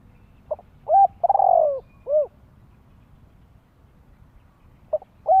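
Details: Spotted dove calling to lure wild doves and train young birds: a phrase of a short coo, a steady coo, a long rolling coo sliding downward and a closing coo, then about three quiet seconds before the next phrase starts.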